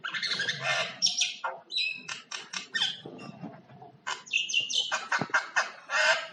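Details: A common myna produces its varied singing: rapid clicking and chattering notes, harsh rasps and high whistled bursts, with a brief quieter gap in the middle before a loud chatter resumes.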